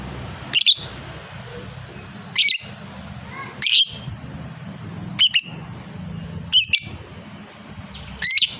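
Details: Fighter lovebird noted for long ngekek chatter, uttering sharp piercing squeaks, singles and pairs, spaced one to two seconds apart above a low murmur of background noise.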